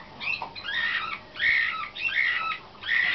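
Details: Competition-trained young canary of the Slavujar (nightingale-type) song style, from 2013, sings four rich warbled phrases separated by short pauses, each mixing chirps with a brighter whistled centre.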